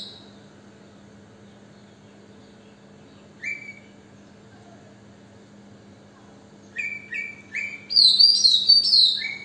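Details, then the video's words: Oriental magpie-robin singing on a balcony: a long quiet pause broken by a single short whistle, then a burst of clear, high, warbling whistled phrases with sweeping notes near the end, over a steady low hum. "Magpie-Robin on the balcony"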